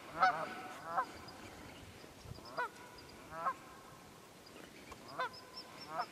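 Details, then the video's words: Wild geese in the Quehanna Wild Area of Pennsylvania, 27 February 2018, give fairly distant, softer honks at irregular intervals of about a second, over faint hiss. "Wild Geese Quehanna 27 Feb 2018"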